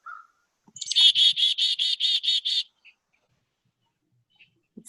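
A chickadee gives its namesake call: a quick high introduction followed by about seven hoarse, buzzy 'dee' notes in a steady run. A faint low thump follows.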